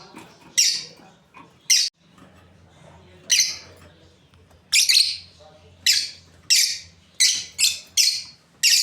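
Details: Lovebirds, a breeding pair, giving loud shrill chirps, single or paired, spaced irregularly about every half second to second, over a steady low mechanical hum.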